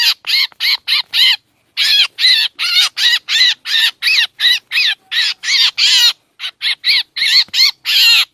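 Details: Black drongo trapping lure, Lao-Thai: bursts of short rasping calls, a brief pause, then a longer run of harsh arched notes, followed by quicker clipped calls.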